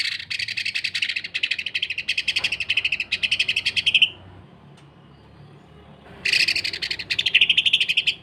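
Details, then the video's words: Greater green leafbird in peak singing form, rattling out the rough, dense 'sewing machine' style used for tutoring: a four-second run of rapid buzzy pulses ending in a whistled note, then quiet, then another fast buzzy run. "MASTERAN DAN PANCINGAN Cucak Ijo. Kasaran Rapat Mesin Jahit dan Suara Aneh"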